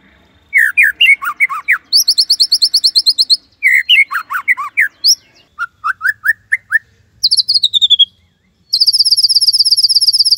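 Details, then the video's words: Gacor white-rumped shama in a tembakan Cililin master song: varied slurred whistles alternate with fast, high, buzzy trills and long runs of rapid identical notes, with brief pauses between bursts. "Murai Gacor !! tembakan Cililin Cocok Buat Masteran upgrad isian Murai"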